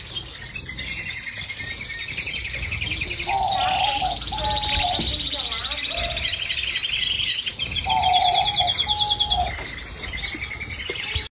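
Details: Canary song in a long continuous flow of rapid high buzzy trills, broken twice by short, clear, lower whistled notes held briefly, with a low background murmur throughout.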